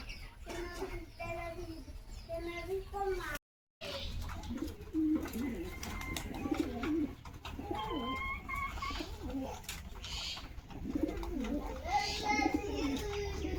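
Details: Local fancy pigeons kept indoors in a small room, several low cooing phrases wavering and repeated, overlapping with rustling, clattering noises and brief higher chirps, with a short silent break near the start.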